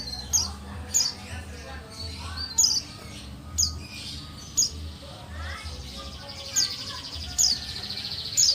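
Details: Buxtoni white-eye female, a call used to prompt idle males to answer: sharp, high isolated chirps about once a second, a few quick rising sweeps near the middle, low background rumble.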